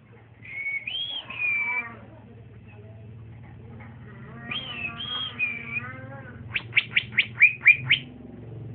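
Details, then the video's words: A young male green leafbird, trotolan singer, bold beside another bird: two rising-falling drawn-out whistles over a low hum, then about eight rapid sharp high chirps. "c ijo trotolan jantan masih muda udah bunyi mantap di gandeng berani"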